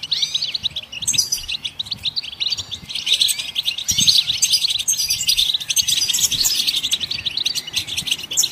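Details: Goldfinches in song to stimulate other songbirds: lively, overlapping twitters and trills that swell into a dense, buzzy chorus after the first few seconds and continue steadily.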